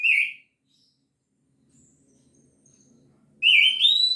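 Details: Two short song phrases from an orange-headed thrush in gacor teler style: a brief fluty note, a silence of about three seconds, then a rising, warbled whistle that climbs higher at the end.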